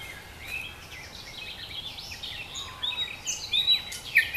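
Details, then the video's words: A nightingale sings in Dubki park, Sestroretsk, St Petersburg: varied phrases of high sweeping whistles building into sharp, bright notes, with softer twittering from other forest birds underneath. "Соловьи поет очень красиво-The nightingale sings very beautifully"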